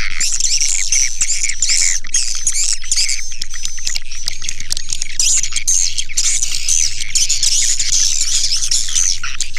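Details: Swiftlet calls used as a lure sound, a continuous mass of rasping high chirps and twitters, with a low steady hum joining halfway through.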